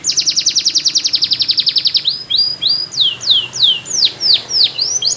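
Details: Belgian canary giving a long even trill of quick repeated notes for two seconds, then a string of loud swooping downward whistles.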